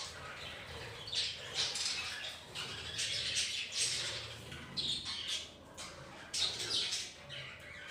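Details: Pet budgerigar colony at home shared with ring-necked parakeets; busy high-pitched chattering and squawky chirps in repeated bursts from many birds, with faint low room rumble beneath.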